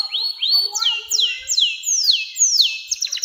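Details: Canary singing a long 'nembak' style song, used to lure young canaries into singing and to tutor birds: a run of loud, high whistled notes sweeping downward, repeated about every half second, ending in a quick rattling burst.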